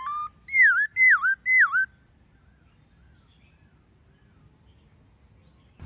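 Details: White-cheeked laughingthrush forest-style song, with a female, used for training captive birds: a short rising whistle then three loud dipping, looping whistled notes in quick rhythm, followed by silence.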